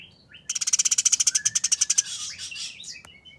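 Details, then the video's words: Eurasian tree sparrow fighting, giving one long rasping burst of about eighteen rapid, evenly packed pulses that trails into a hissy buzz, with a few thin whistles afterward. "Burung Gereja Tarung Nyerecet Kasaran Speed Rapat Suara Jernih"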